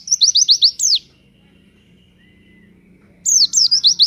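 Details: Lure song of a pleci (white-eye), delivered in the energetic 'nembak' manner: a quick run of high, downward-swept chirps, a pause with a faint thin whistle, then another rapid chirping phrase.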